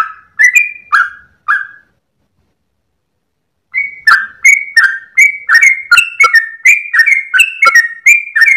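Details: Sooty-headed bulbul at dawn, tail wagging, in its long continuous gacor ropel style. Three clear whistled notes, a pause of about two seconds, then a fast unbroken run of warbling slurred whistles, bright and clean.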